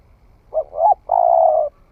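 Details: One cooing phrase from a spotted dove newly in voice during a forest trial, two low clipped notes leading into a prolonged, even coo.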